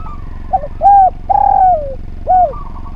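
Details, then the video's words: Spotted dove giving its harmonious coo phrase as a training recording for other birds. A soft stutter, a hollow arched coo, a long coo gliding down, and a closing short arc, over low steady hum. "Derkuku Gacor Suara Nglaras, Masteran Derkuku Paling Top Cer"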